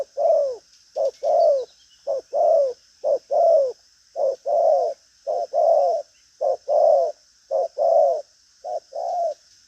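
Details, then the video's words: Spotted dove, a strong-cooing caged bird, calls nonstop. Low hollow coos come in short-long pairs, roughly one pair a second and evenly spaced, across the whole stretch over faint hiss. "Đồng pha chân cua cứng gù| Nết chơi lăng xăng, thúc gù có lèo"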